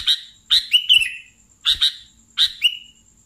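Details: Sooty-headed bulbul singing vigorously: paired, sharp chirps followed by slurred falling whistles, in three bursts about a second apart, over a faint constant high whine.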